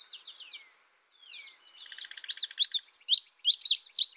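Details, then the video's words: Indigo bunting singing: faint thin slurred notes, a brief buzzy trill, then loud bright paired upslurred whistles repeated rapidly to the end. "Indigo bunting sound | call"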